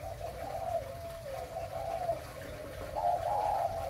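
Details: A spotted dove gives breeding coos in soft, low, hollow notes, running into wavering phrases that rise slightly near the end, over a faint indoor hum.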